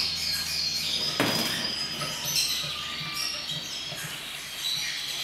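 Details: A wild-type Atlantic canary sings a continuous, high, rapid warbling stream of trills and twitters, with one sharp click partway through and a faint background hiss.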